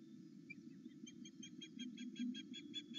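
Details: Osprey at its Loch Arkaig nest, excited by its mate's return, morning live camera: a single chirp, then a fast even train of high whistled notes building through the second half, with low hum beneath.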